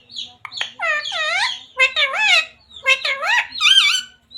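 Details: Ring-necked talking parrot speaking Radhe Radhe and Sita Ram, a rapid string of wavy, voice-like syllables rising and dipping in pitch, ending on a higher squeaky phrase, indoors.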